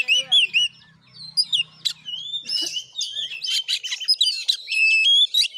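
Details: Oriental magpie-robin singing aggressively in Sungai Rumbai, Bengkulu: slurred whistles opening, then busy chattering phrases and clear sustained whistles, a faint low hum early on.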